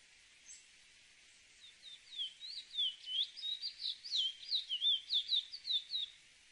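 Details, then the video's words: Cacahuero song building from soft opening notes into a long, fast warble of twisting whistles, rising and falling, roughly three notes a second, with light background hiss. "AUDIO CACAHUERO CANTANDO (SPOROPHILA ANGOLENSIS)"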